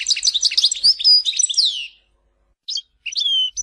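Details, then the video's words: European goldfinch singing, Tizi Ouzou: a dense burst of fast, high twittering and liquid trills with sweeping whistled slurs for two seconds, then silence and a few short twittered phrases. "Chant chardonneret tizi ouzou تغريد حسون تيزي وزو"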